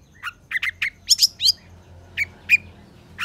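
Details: Energetic song of a long-tailed shrike, used as training material for lazy shrikes. Brief harsh chirps and rasping notes come in quick succession, then two clear whistled notes and a final scratchy call.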